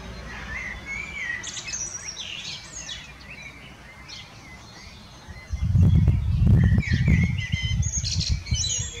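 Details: Common blackbird (Turdus merula) delivering a mellow whistled warble that trails into high squeaky twitters, then a second phrase, while strong wind rumble rises in the second half.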